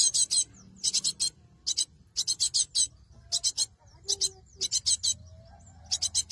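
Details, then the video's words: Cinereous tit recording used as a lure for trapping birds: bursts of three to five harsh, buzzy, very high notes separated by short pauses, with faint low hum beneath. "Suara Burung gelatik batu"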